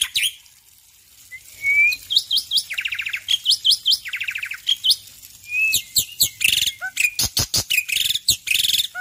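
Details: A male black-winged myna's morning song: a rich medley of slurred whistles, sharp chirps, buzzy rattling series and quick clipped notes, loud and nearly continuous.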